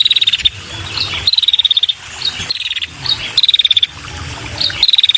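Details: Female red-headed prinia calling to lure males: rapid buzzy trills of evenly pulsed high notes, each burst about half a second and slightly falling, repeated about four times with short pauses, faint low background rumble.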